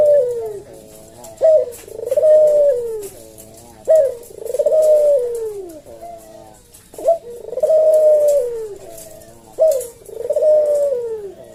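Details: Caged Javan collared dove delivering slow 'senggang' 'kuk deruk' cooing as a tutor for cage birds: steady series of hollow coos, each a quick rising note then a long falling purr, roughly twenty-four per minute.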